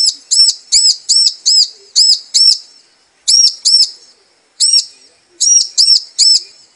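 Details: Female bar-winged prinia calling to the male, used to lure a male into singing: loud, high, arched chirps in quick pairs and triplets, each note bending up then down, with short pauses between bursts.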